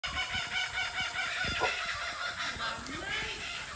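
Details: Laughing kookaburra, one of two divebombing a goanna, gives a harsh, rapid cackling run of stacked, rhythmic notes without pause, with a faint low voice briefly in the background.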